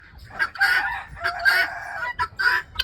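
Helmeted guineafowl give harsh, grating, rasping calls in four or five quick bursts, loud and overlapping, with little else heard.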